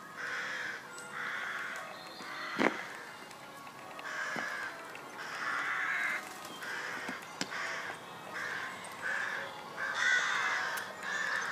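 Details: Harsh cawing of rooks at Pulford, Chester, by St Mary's church: repeated hoarse caws in quick succession from several birds, some overlapping, with occasional sharp knocks and faint outdoor ambience.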